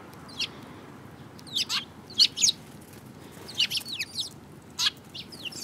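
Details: A flock of sparrows on 18 March 2018 chirping busily: bright, high, slightly descending notes in clusters of two or three, about a dozen across the stretch, over quiet hiss.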